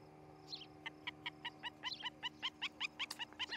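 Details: Osprey calling from its Charlo, Montana nest, nest-camera recording, 11 July 2018: a continuous string of clipped, ringing chirps about three per second, over a steady electrical hum.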